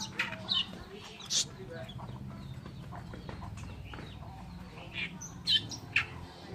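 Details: Harsh, scratchy Oriental reed warbler phrases, sharp loud notes at irregular intervals with quieter chatter between, over a constant low background drone. Recorded as training song for cage birds.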